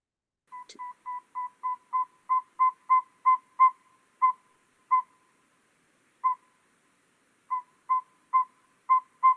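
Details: A very small Northern Saw-whet Owl, a hard-to-find bird that nests in coniferous spruce woods, gives short, clear, mid-pitched whistled toots, steady at about three per second, broken by brief pauses; one faint click near the start.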